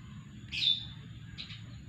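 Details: Lovebird left alone after being separated from its female and wanting to mate: a single piercing, slightly falling squeal, then two short faint chirps about a second later, against steady low hum.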